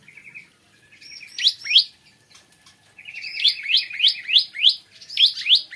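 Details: Bar-winged prinia singing in the morning: a soft buzzy trill, then bursts of sharp, high, downslurred notes in quick runs of four to five, with short pauses between phrases.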